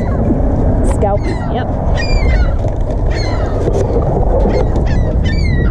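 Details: Baby ring-billed gulls rescued from a scalding roof utter clusters of sharp, descending, harmonic calls from several birds, a brief human voice early on and constant low background rumble.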